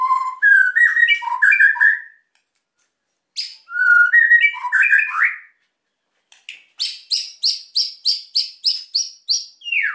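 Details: Energetic white-rumped shama song to make quiet birds sing: two rich warbled whistle phrases, then a series of about eleven sharp high repeated notes at an even, quick pace.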